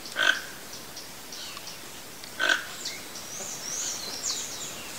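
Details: Toco toucan in the wild giving two rough, croaking calls about two seconds apart. Thin, high chirps of other birds sound faintly later against constant background hiss.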